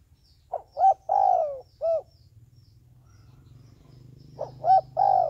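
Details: Caged decoy dove for luring wild doves: a full phrase of short note, clipped coo, long falling coo and closing coo, then a rumbling low engine-like hum before the next phrase begins.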